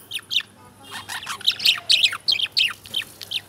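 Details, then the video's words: Lovebirds chirping: sharp, high squeaky chirps and short downslurred notes, delivered in quick irregular bursts, several overlapping near the end, with a faint low hum underneath. "Love Birds Chirping"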